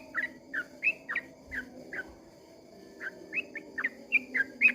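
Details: Yellow-vented bulbul (trucukan) at dawn giving its long ropel song, here quieter and more distant: spaced, mellow slurred whistles, some rising and some falling, over a steady low background hum.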